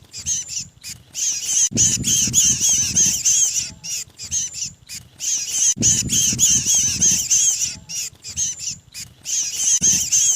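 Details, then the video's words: A 'kejepit' (pinched) lure call of the mantenan songbird, used by trappers to gather these birds. Shrill, strained, buzzy chattering comes in long runs of quick repeated notes, broken by short pauses, with dull low knocks in the background. "SUARA PIKAT BURUNG MANTENAN KEJEPIT"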